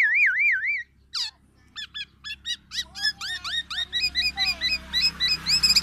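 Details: Black-naped oriole, tame and singing freely, opens with a wavering warbled whistle, then strings of sharp chips and repeated rising hooked notes that quicken toward the end over a low background hum.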